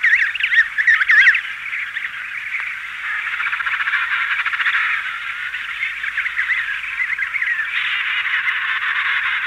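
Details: Emperor penguin colony at Cape C…: many overlapping trilling, warbled calls from adults and chicks with wing beating form a dense mid-pitched chorus, with a slight hiss beneath.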